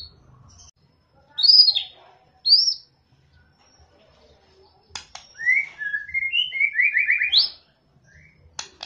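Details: White-rumped shama singing: two short, high, rising whistled notes early on, then after a pause a quick run of varied chirping notes that step up and down in pitch, with near silence between phrases.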